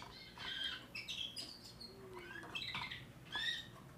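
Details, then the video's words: Young timbrado canary, bred in 2024 and singing a new repertoire: a steady flow of high whistled and warbled phrases, some sliding notes, heard against a hissy, fairly loud background. "le meilleur chant de canari I chant canari timbrado"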